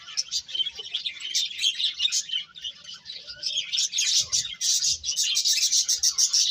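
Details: Birds twitter in quick, high chirps, about three a second, building to a denser, louder chatter in the second half.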